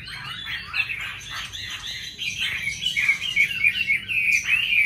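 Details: Vietnamese oriental magpie-robin singing against bulbuls, laughingthrushes and doves: a dense, varied warble of sweet whistles and quick trills that grows louder toward the end, with other birds chirping faintly underneath.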